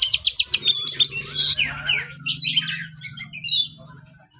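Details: Caged white-rumped shama song opening with a fast series of sharp repeated chips, then loud clear whistles and buzzy slurred phrases, varied and continuous, over a faint steady low hum.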